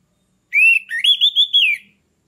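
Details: Orange-headed thrush giving one rich, slurred whistled phrase, about a second and a half long, sweeping down then up and wavering before it fades; played to stimulate breeding readiness in other thrushes.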